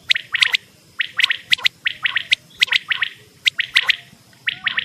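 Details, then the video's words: Quail lure recording for hunting, with rapid clusters of sharp high notes in twos and threes, repeated steadily about every half second over a low rumbling background. "Best cassette /batair hunting/1000pakriny wali cassette"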